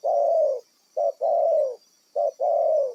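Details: Wild spotted dove used as a decoy in bird trapping, calling a long coo followed by two short-then-long coo pairs, the drawn-out notes full and gently falling, over a steady faint high hum.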